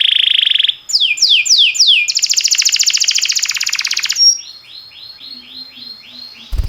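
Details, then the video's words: Canary training song from a timbrado canary: a buzzy held tone, four falling whistled sweeps, a rapid rattling trill, then softer repeated arched chirps and a closing click. "Cantar canário faz seu canário cantar - o melhor treinador"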